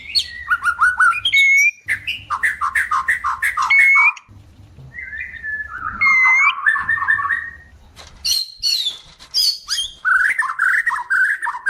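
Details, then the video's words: White-rumped shama in breeding condition, singing to attract a mate: rich whistled phrases around mid pitch, quick descending slurs and higher sharp notes, delivered in bursts with short pauses; faint low hum beneath. "Suara pancingan murai batu cepat birahi dan minta kawin."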